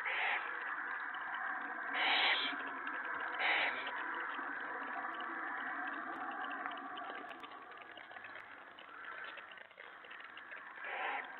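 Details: Owlets being fed by the adult female in the nest on the evening of 21 March 2017, after one casts a pellet. Rasping hisses and short screeches come in bursts over steady rustling and background noise.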